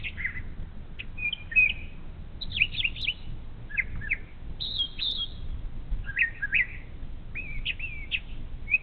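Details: Brown thrasher singing in the morning at a bald eagle nest camera along the Little Miami River, Ohio: varied, rich phrases of slurred whistles and chirps, each short phrase changing pitch, over a low background rumble.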